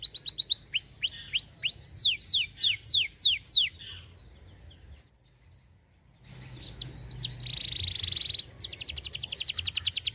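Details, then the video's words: Canary, a persistent singer, giving a run of repeated swooping whistled notes, then quiet, then short slurred notes and a buzzy rapid trill; song played to encourage silent birds to sing. "kenari gacor cocok pancing bunyi burung bahan & macet bunyi"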